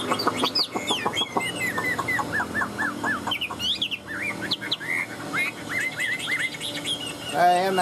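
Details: Caged Chinese hwamei of the Tam hoàng type, carried in its cage while singing nonstop: rich, varied whistled phrases, a run of slurred downward notes repeated about five times, quick upward sweeps, and a harsh harmonic burst at the end.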